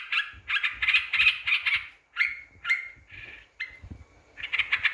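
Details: Lure recording of yellow-vented bulbul meant to anger rival birds, with bubbly, gurgling warbled bursts separated by short pauses and drawn-out whistled notes.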